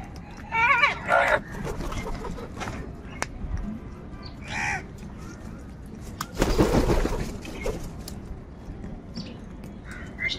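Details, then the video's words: Crows fighting over food give several harsh, nasal caws in short bursts, with a long, loud, rasping call near the middle, over a steady low rumble of background noise. "Kaka sound and noises of Crow birds | কাকের ডাক Crow Sound Crow ki Awaz"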